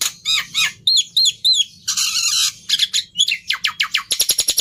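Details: Black-winged myna song mixing quick looping whistled notes, a long harsh rasp, falling whistles and a closing rapid train of short clicks.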